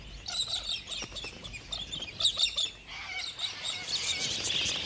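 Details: A flock of wild galahs in Australia, clowning about, gives overlapping harsh, high screeches and chattering calls without pause, many birds calling at once.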